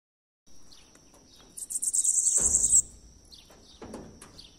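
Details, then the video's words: Bananaquit, locally called sibite, singing the song style known as "O louco": a rapid, very high, buzzy run of repeated notes lasting just over a second, with faint background noise. "Sibite cantando "O LOUCO"."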